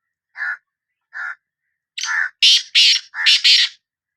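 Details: Sindhi kala teetar, the black francolin, calling: two spaced, softer lower notes, then a rapid harsh grating phrase of about five scratchy notes, loudest toward the end, with no other sounds.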